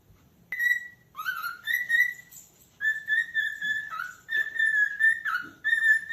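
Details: Cockatiel calling: a series of clear, sustained whistled notes, some flat and some rising or dipping, each lasting about half a second to a second, separated by short pauses, with rich overtones in a quiet room.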